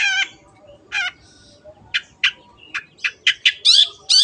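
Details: Long-tailed shrike (cendet) singing energetically for training kept birds: grating, squawk-like notes at first, then a quickening series of short sharp clicks and rasping chips.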